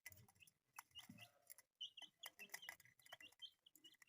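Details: Colourful pet chicks giving short, high peeps that grow busier in the second half, mixed with frequent tapping and rustling noises.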